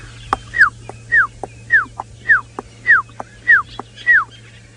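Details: Puffback seen in trees near an emerald-spotted wood dove during a sunrise safari drive, Sabi Sand, 23 April 2018: a sharp click then a short downward-slurred whistle, repeated about every half second over a low engine hum.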